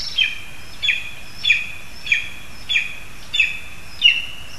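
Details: At a spruce nest in Zemgale, Latvia, a lesser spotted eagle calls while a frog is delivered to the young; sharp high yelps, each with a brief downward tail, repeated steadily about every 0.6 seconds.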